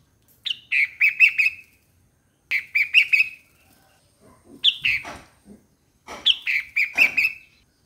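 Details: Four similar bulbul phrases, each a quick cluster of liquid notes sliding down in pitch, spaced about two seconds apart, with faint low thumps.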